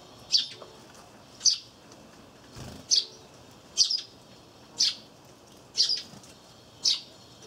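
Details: In early April, sparrows near a peanut wreath feeder where a great tit feeds give short, bright chirps about once a second, sometimes doubled, over a faint steady background hiss; Eurasian tree sparrow.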